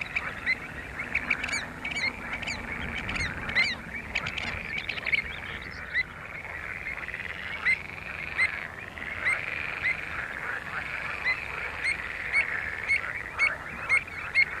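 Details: Pied avocet at Skanör and Falsterbo, Sweden, filmed in June 2015: short clear notes repeated irregularly over a steady hiss of distant bird chatter.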